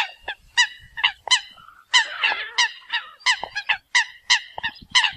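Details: Eurasian coots calling to gather the flock, a dense run of sharp nasal honks, several overlapping around two seconds in, repeated rapidly and irregularly.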